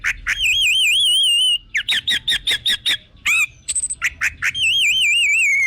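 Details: Loud orange-headed thrush song, used as a lure to spur other birds to sing: long wavering whistles alternate with a rapid series of sharp repeated chips, ending in a drawn-out falling whistle.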